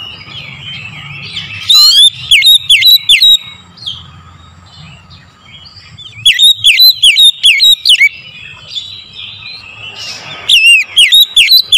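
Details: Oriental magpie-robin singing as morning lure song for kept birds: three loud bursts of rapid, swooping whistled notes, several seconds apart, each about two seconds long, between them quieter chirps of other birds and a low hum.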